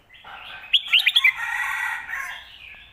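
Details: Song for teaching home birds, from a Red-whiskered bulbul in the "phat kuaitiao" and "khayao khuat" styles: a rapid string of four or five loud, bright chirped notes, then a long wavering warble fading out.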